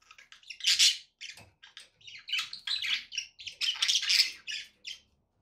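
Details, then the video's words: Budgerigars kept as pets give a dense, squawky warble, loud raspy bursts mixed with quick chirps and ticks, swelling twice into strong harsh peaks with barely any gaps. "budgie sounds to encourage your parrot to eat and sing"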